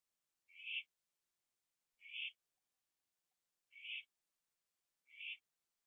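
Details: Owl at night, 11:15 PM on 21 September 2011, eating a gopher on a porch before flying to a tree beside another owl; four short hoarse, hissing screeches, evenly spaced about every 1.5 seconds, with silence between them.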